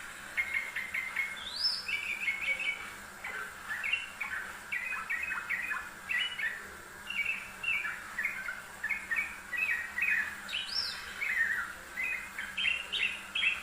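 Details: Yellow-vented bulbul master recording for training birds: long energetic song of rapid gurgling, chortled notes in steady bursts, punctuated twice by high rising whistles, over a constant low hiss.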